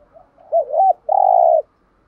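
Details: Caged decoy spotted dove cooing to lure wild doves: a soft lead-in, two quick looping coos, then one long steady mellow coo held for about half a second.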